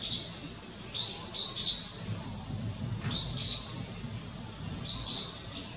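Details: Striated swallow, Lugu, 30 June 2022: irregular high chirps, a few grouped closely then a long gap before the last, over a noticeable low rumbling background.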